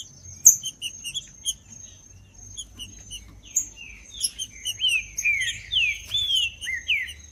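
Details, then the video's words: Green-winged saltator singing: after scattered high chips, loud whistled slurred notes build in the second half, several bending down in quick succession, over a steady thin high whine. "ESQUENTAR TRINCA FERRO FRIO COM TRINCA FERRO CANTANDO"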